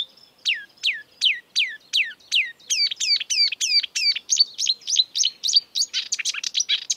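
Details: Marsh warbler singing in the wild: a fast run of sharp, high notes sweeping downward, about four per second, switching to a different repeated hooked phrase, then chirpy notes and a quick buzzy jumble at the end; quiet background.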